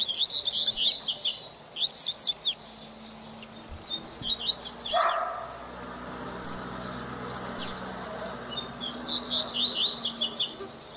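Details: Double-collared seedeater teacher bird for young learners: quick high twittering bursts at the start, a lull with a low hum and a brief thud, then more high warbled notes toward the end.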